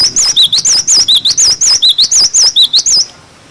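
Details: Cinereous tit singing a clear 'wucit wucit' song, used as a tutor for young birds: loud, rapidly repeated wavy whistled notes alternating high and lower, about a dozen in three seconds, then stopping.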